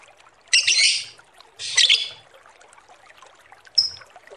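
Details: Lovebird giving two long, grating squawks followed by a single short, sharp chirp, in a recording intended as a lure.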